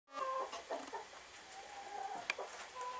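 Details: Speckled Sussex hen calling while laying an egg, straining hard: drawn-out tonal, harmonic notes alternate with short clucks, opening and closing on steady level wails with a sharp click midway.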